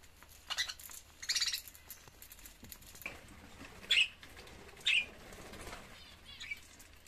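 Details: Lovebirds at feeding time give short, sharp, high chirps and squawks, two louder ones close together near the middle, amid rustling and wing-flapping sounds.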